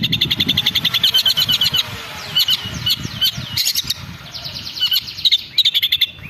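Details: Long-tailed shrike (cendet) lure to make a bird sing aggressively: rapid chattering runs of high sharp notes, a softer passage with thin squeaks and slurs, then the chatter resumes.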